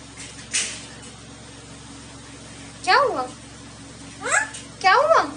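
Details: Talking parrot uttering three short bursts of high, rapidly inflected speech-like syllables, the last two closely spaced, over a faint steady indoor hum.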